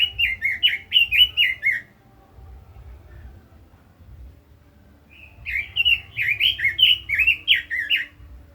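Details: Red-billed leiothrix (Quế Lâm) in a lively 'kích giọng' singing style: two bursts of rapid, slurred up-and-down whistled notes, about ten per burst, separated by a three-second pause with faint low background hum.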